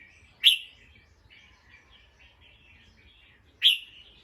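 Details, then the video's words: A bulbul on alert after a sound: two single sharp, high downslurred chip notes about three seconds apart, with soft faint warbling in between. "The sound of a bulbul Listened and then definitely alert."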